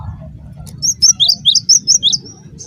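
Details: Cinereous tit (gelatik batu) calling as a lure for other tits to reply; a single phrase of about seven clear, high, two-part notes in an even rhythm, over faint low hum.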